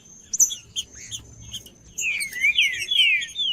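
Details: A Pernambuco trinca-ferro, the Green-winged Saltator, sung while 'cold': a few scattered chirps, then a rich phrase of loud downward-sliding whistles in the second half, a faint steady whine behind.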